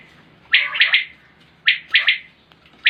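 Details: Common quail calling in 2020: a bright, sharp three-note phrase, quick and clipped, then a pause and the same phrase again, with the start of a third.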